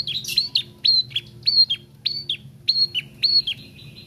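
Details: Young bar-winged prinia learning to sing, giving a brisk series of sharp high chirps, each dropping in pitch, about a dozen in four seconds, ending in a sustained flat note.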